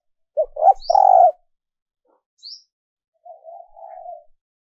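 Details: Female dove calling to lure males: a loud phrase of short notes into a long falling coo, then a fainter, longer coo; two brief high chirps from another bird are heard between them.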